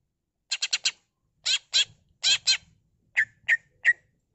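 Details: Cucak ijo, the greater green leafbird, singing a gacor full-isian pancingan: a burst of four harsh, raspy notes, then paired scratchy squawks, ending with three short clipped chips, all against a silent background.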